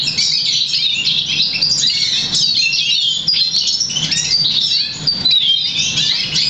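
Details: Hybrid mule of Black Siskin and Russian Canary, crested, 50% variegated, bred August 2009, schooled in European Goldfinch notes; dense unbroken high twittering with rapid trills and sliding whistles, faint low background rumble.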